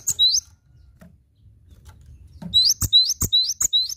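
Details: Cinereous tit in lively gacor song for masteran: a brief opening phrase, a pause, then a fast run of rising whistled notes with sharp clicks, about two and a half per second, over low background hum.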